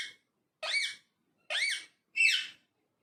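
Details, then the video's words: Parrot talking in a quiet room: four shrill, nasal, arched squeaks about half a second apart, each rising then dropping sharply. "Talking Parrot"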